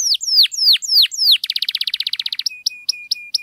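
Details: Canary in long song to trigger silent canaries into singing: a few slow, drawn-out falling whistles, then a rapid stuttering trill, ending with a flat sustained whistle broken by short high chips.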